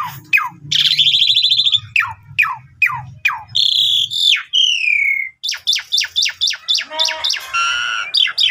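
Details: Asian pied starling in full song for luring other starlings: repeated sharp descending chirps, a harsh buzzy rattle, a long falling whistle, then a fast even series of clipped chirps.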